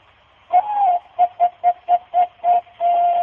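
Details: Zebra dove (perkutut), a Thai-ringed bird famed as a legendary contest bird in Indonesia in 2008–2009, coos a mellow, low phrase: a drawn-out opening note, six quick soft coos, then a long held final note. No other sounds.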